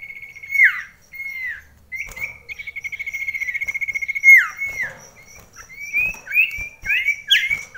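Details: Common iora (sirtu) in a close-range indoor contest against a rival during daily rain: sustained whistles that bend downward, a buzzy pulsed trill lasting about two seconds, then a series of short rising and falling whistled phrases.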